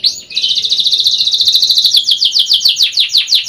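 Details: A young canary sings in a lure recording: one sustained rapid trill of repeated notes that slows slightly into clearer, separate sweeping notes, loud and unbroken.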